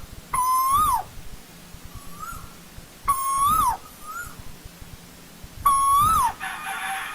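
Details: Asian koel in old-growth forest: three loud whistled calls about three seconds apart, each rising slightly then dropping at the end, with soft fainter notes between them over a low steady hum.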